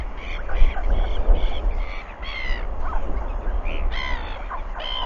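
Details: On 4 August 2021 a northern royal albatross chick, Tiaki, gives harsh, repeated nasal begging calls over steady wind rumble as a parent returns to feed it.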